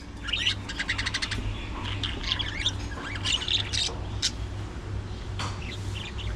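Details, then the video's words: Budgerigars during early morning feeding time, a quick run of repeated chirps at the start, then scattered squeaky notes and warbles over a constant low hum. "Budgies Full Time Activities | Early Morning Feeding Time"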